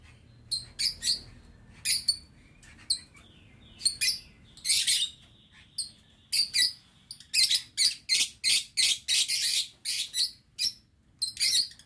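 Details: Caged lovebirds in an aviary, recorded 11 November 2022: shrill, squeaky chirps come in short separate bursts, then crowd into a dense run of sharp notes toward the end over a quiet low hum.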